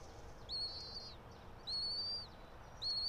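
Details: Bald eagle from a resident pair nesting about 90 feet high in a pine in Johnson City, Tennessee, 04.03.2024, 06:28: three long, level, piping whistles spaced roughly a second apart, each dropping at the end, with steady low rumble behind.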